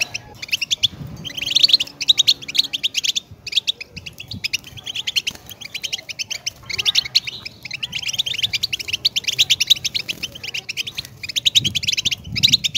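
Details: Extended European goldfinch song of continuous fast, high twittering and buzzy trills, with a few brief pauses and faint low thumps.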